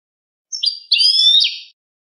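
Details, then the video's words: European goldfinch clean song (cante limpio) for tutoring captive birds: two quick high chirps run into a longer glittering, buzzy trill that drops at the end; clean, quiet recording. "jilguero cante limpio"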